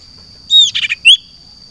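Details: Caged sirtu kept outdoors in a garden makes a short burst of high chirps: a rising whistle, a cluster of scratchy notes, then another bright upward-sliding note.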